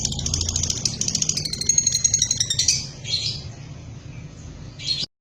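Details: Lovebird kept as a house bird: rapid pulsed high chatter for about three seconds, then softer scattered squeaky notes and a final brief burst before it cuts off.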